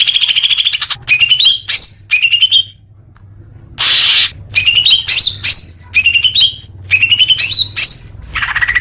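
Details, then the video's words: Greater green leafbird song for getting caged birds to sing more: clear rising whistled phrases ending in an upward flick, broken by pauses and one loud burst of harsh high noise. "Suara Cucak Hijau Biar cepat gancor"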